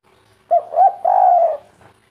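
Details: Spotted dove giving a natural local kuk 3 coo: two short hooting notes followed by a longer, drawn-out mellow coo, low and resonant, then silence.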